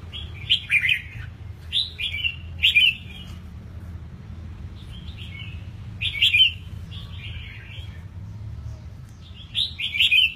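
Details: Eight-month-old red-whiskered bulbul, caged and just out of its moult, sings a series of short, cheerful whistled phrases, one roughly every two seconds with a brief gap midway, over a low steady hum.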